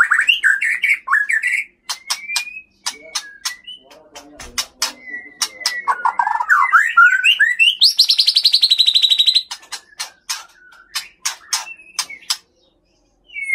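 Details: Male white-rumped shama from Bahorok in the Leuser mountains, Aceh, a strong fighter that sings more aggressively with mimicked phrases against an evenly matched rival: loud varied whistles, rapid sharp notes and a dense buzzy trill midway.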